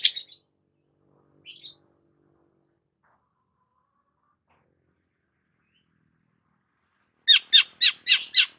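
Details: Long-tailed shrike, described as a lively, constantly singing bird: harsh, rasping squawks open, one more burst follows after a pause, faint thin high whistles come mid-way, then a fast run of five grating, buzzy notes closes.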